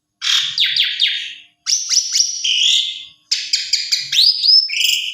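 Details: Asian pied starling song meant to make other starlings respond: three bursts of rough chatter with quick descending notes, the last ending in sweet rising whistles.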